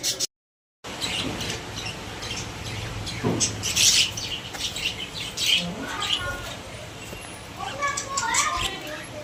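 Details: Pet budgerigars in a cage, with scattered chirps, short rising and falling warbled notes and bright high clicks, mixed with soft rustling and a brief silent gap near the start.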